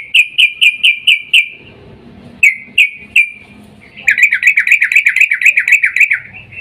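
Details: Sooty-headed bulbul female calling the male in breeding mood, used as a lure: bursts of loud, bubbly chirps repeated rapidly, a short series, a pause, then a longer fast chattering run.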